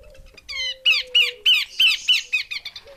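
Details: Loud, rhythmic series of harsh, buzzy descending notes from a female Horsfield's babbler, about three per second, over a faint steady whistle tone.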